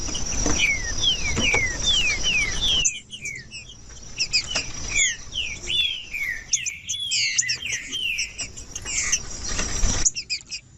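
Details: Green-winged saltator singing a series of descending whistled notes over loud hiss, then a more varied, lilting whistled passage with high chips.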